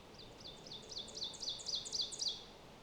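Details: Ovenbird, an elusive warbler, singing in May in the boreal forest of Lesser Slave Lake Provincial Park, Canada: a high two-note phrase repeated about seven times, growing louder toward the end, over steady background noise.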